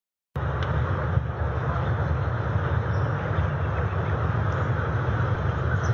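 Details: A steady low rumble like passing traffic or engine noise fills the recording after a sudden start, with no animal calls heard.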